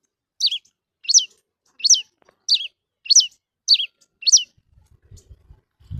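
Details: Red-cowled cardinal singing at a free-flying bird: seven sharp, high, descending notes repeated roughly every 0.6 seconds, followed by soft low thumps at the end.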